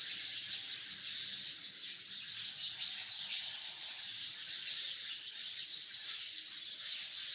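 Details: Sparrows by the hundreds massed in a tree, their chirps merging into an unbroken high-pitched chatter that swells and dips slightly over several seconds, with no other clear sounds.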